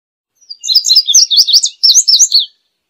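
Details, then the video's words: Indigo bunting delivering a bright, hurried song of high paired notes that tumble up and down, about two seconds long, with a clean, quiet background. "Azulejo Indigo Canto! Llamado! Sonido! Cantando! - Indigo Bunting Song - Passerina Cyanea"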